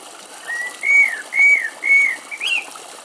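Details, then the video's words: A common blackbird singing from brambles at a forest edge in Greece gives three or four mellow, fluted whistles, each slightly arched, then ends with a short, higher squeaky flourish. "Κελάηδημα Κότσυφα - Blackbird Song"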